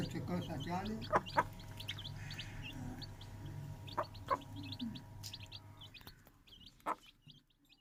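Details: Several new Aseel chicks at home chirp with short, high, descending peeps in loose runs, gradually thinning toward the end, accompanied by a low hum and a handful of sharp clicks.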